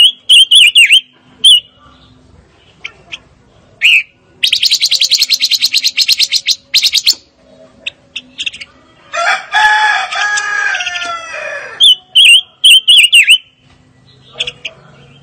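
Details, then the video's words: Fire-tailed myzornis singing: high whistled chirps, then fast buzzy rattling bursts and a dense harsh chatter, before clear high chirps return. "Kicau Burung Pancawarna Paling Dicari - Tiếng chim ngũ sắc"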